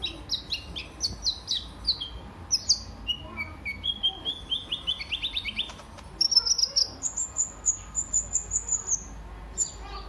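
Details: Lively sunbird (kolibri ninja) lure song meant to prompt other cage birds to sing and serve as a tutor: rapid series of high, sharp chirps and trills, then long high thin whistled runs, continuous throughout.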